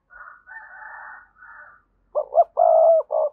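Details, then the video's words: Decoy cooing of a spotted dove played to draw wild doves into calling. A rougher, higher buzzy sequence opens, then a clear phrase of two quick rising notes, a sustained hollow coo and a brief final note. "Tiếng chim cu gáy thúc bổi, mở lên nhá bổi gáy liền, giọng may bổi"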